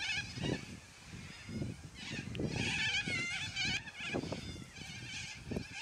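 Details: Noisy flock of yellow-crested cockatoos giving loud squawks; harsh, grating screeches overlap in a chaotic chorus, with repeated low thumps and rustling beneath.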